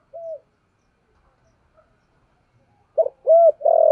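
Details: Decoy spotted dove trained daily in the 'giọng thổ' voice, cooing to stir wild doves: one soft coo, a long pause, then a loud burst of three hollow coos ending in a drawn note.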